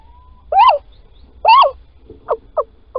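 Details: At Holten, Netherlands, 16 March 2020 at 10:25, a male little owl calls while the female digs a nest scrape: two mewing, rising-then-falling 'kiew' calls a second apart, then three short clipped notes.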